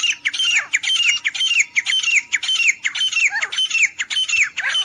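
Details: Grey francolin, a hunting sound: loud, grating notes about twice a second, each ending in a clear downward-slurred whistle, over a steady low electrical hum.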